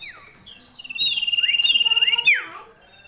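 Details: Loud, ringing call of a female common iora: after a short falling note, a sustained high, rapidly pulsed trill runs for over a second, with brief upward sweeps overlaid, then drops in a steep slurred glide.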